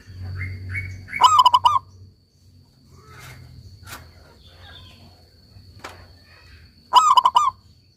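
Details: Local zebra dove in active song giving two rolling, bubbly cooing phrases roughly six seconds apart, preceded by a few softer rising notes, with low hum and scattered faint clicks in the background.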